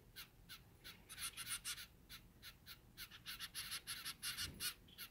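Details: Four zebra finch chicks, the oldest about a week old, beg for feeding with harsh, hissing rasps, about three a second, in uneven bursts over a faint low rumble.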